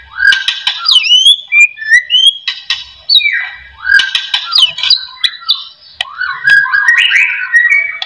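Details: White-rumped shama song played as a lure to get other shamas singing: energetic mixes of sweeping whistles, harsh chatter and sharp clicks in phrases of about two seconds.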